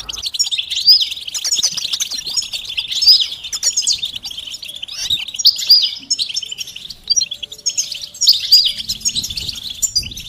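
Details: European goldfinch song played to stimulate silent males to sing, using mating and readiness calls: dense, rapid twittering and tinkling phrases with bright buzzy notes, continuous throughout, in a quiet background.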